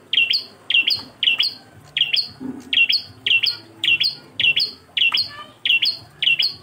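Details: Bar-winged prinia singing solo in a tutor recording for training songbirds: sharp, high chirped phrases, each a quick pair of notes stepping upward, repeated steadily about every half second for eleven phrases over a faint low hum.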